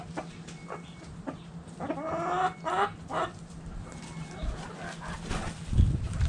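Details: Backyard chickens, hens and roosters, in the chicken coop: a few short harmonic clucks and a drawn-out squawking call in the middle, over a steady low hum and rustling.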